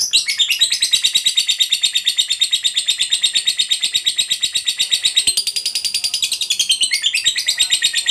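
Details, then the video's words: Lovebird of the fighter type delivering ngekek, a long chattering song played to stimulate other lovebirds to sing: a dense, unbroken high trill of rapid repeated notes, shifting pitch midway and again near the end. "Suara Burung Lovebird DURASI PANJANG, TERBUKTI Paling Cocok Buat Pancingan Labet Agar Cepat Ngekek"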